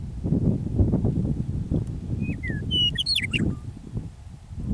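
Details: Meadowlark on Alberta prairie near Michichi Dam, Drumheller, Canada, early spring evening after winter: one whistled song of two falling slurs and a rapid, rich gurgling ending, with wind gusts before and after.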